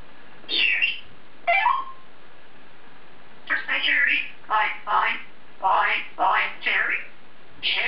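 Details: Caged African grey parrot muttering to itself, a quick rising word, then a run of evenly spaced speech-like syllables, almost like a sentence.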